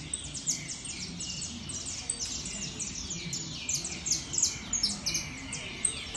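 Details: Competition-show saffron finch song, a fast string of thin, piercing notes sweeping downward, clustered into louder bursts near the end, with a constant low background hum.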